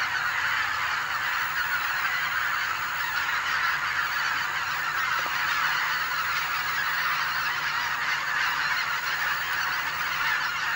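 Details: Several thousand greater white-fronted geese arriving at Kabukuri-numa on 3 October 2011 call at once: a steady, dense roar of overlapping high, yelping honks, no single voice standing out.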